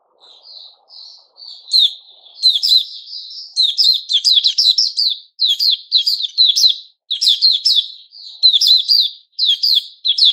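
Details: A moulting caged white-crowned shama, recorded 6 September 2021, starts with a few soft, spaced whistles. These build into a long, energetic song of rapid, twittering whistled phrases broken by short gaps.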